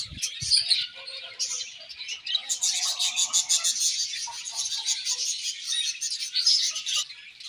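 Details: Many budgerigars chirping in a colony, a couple of soft knocks at the start, then dense high warbling chatter building up.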